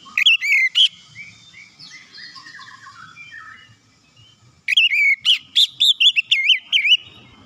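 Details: Shama song for coaxing other shamas to sing: an opening burst of whistles, a quiet stretch of soft warbling notes, then a long rapid run of loud looping whistled phrases.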